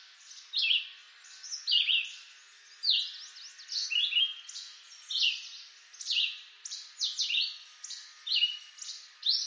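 A Red-eyed Vireo sings an unbroken string of short, high, slurred phrases, each different from the last, about one per second.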